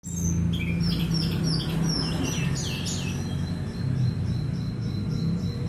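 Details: Orange-headed thrush singing a run of short whistled phrases, bright slurred notes repeated about every half second, over a loud steady low hum and background noise.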